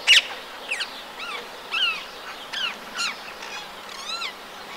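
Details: Rose-ringed parakeet calling in the town of Empuriabrava, Catalonia, in winter on 26 January 2022: a loose series of about eight harsh, arched screeches at irregular intervals, opening with one sharp loud burst, over faint steady background hiss.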